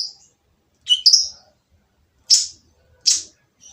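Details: Van Hasselt's sunbird (kolibri ninja) calling in a harsh, provoking style: a few separated shrill, high notes, one doubled, spaced by pauses of about a second in an otherwise quiet setting.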